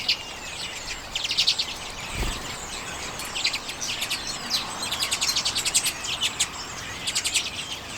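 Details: Common redpolls feeding on sunflower seeds in late January 2022, filmed with a Canon EOS M50. They give rapid dry chattering trills in quick bursts, thin and high, with pauses between runs and a low thump near the start.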